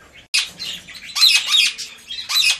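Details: Three newly hatched, still featherless captive Rose-ringed Parakeet chicks in a breeder's nest in Limeira, São Paulo, Brazil, giving harsh raspy squawks in bursts of about half a second, with a faint hum underneath.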